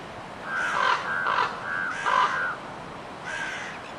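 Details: A crow calling with four harsh, hoarse caws spaced roughly evenly over a few seconds, each a broad nasal burst, the last one fainter; soft background hiss throughout.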